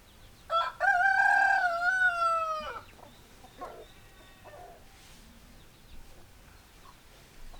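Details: Rooster crowing loudly, a short lead note then a sustained harmonic note dropping slightly over two seconds, followed by softer scattered hen clucks in a quiet yard.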